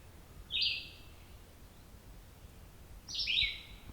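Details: Lone Red-eyed Vireo singing during a morning walk on the Otter Lake Side Trail, Bruce Peninsula: two brief, high, slurred phrases about two and a half seconds apart, each dropping in pitch, over soft low ambient rumble.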